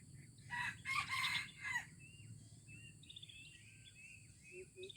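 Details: Junglefowl in Aceh, recorded 25 April 2020, giving a harsh rasping crow in the first two seconds, followed by scattered high, thin chirps from small birds and a faint low background hum.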